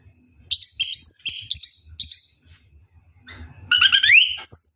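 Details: Night-bathing orange-headed thrush in ngeroll song: a run of high, clear whistled notes repeated about every half second, a brief quiet gap, then a rising slurred phrase.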